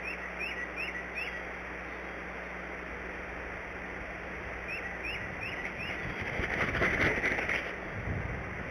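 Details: Bald Eagle nest at Decorah, 17 March 2017, 06:17 morning, during the first shift change: two quick bursts of thin, high, rising chirps, four notes each, likely an off-camera bird identified as a Tufted Titmouse, over outdoor hiss, then a brief rustling flurry.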